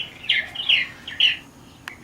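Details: Young Purple Martins migrating south on 19 July 2017, stragglers that lost their colonies, giving bright gurgling chirps in quick bursts with a sharp click near the end.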